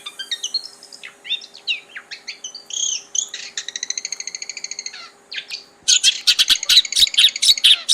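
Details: Long-tailed shrike singing in its natural habitat: a varied run of short whistled and chirped notes, then a fast, even series of buzzy pulses, ending in loud, dense, scratchy chatter.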